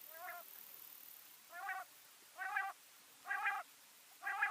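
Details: Female common quail calling, a series of five nasal, harmonic notes, each about a third of a second long and repeated roughly every second, over a faint steady hiss.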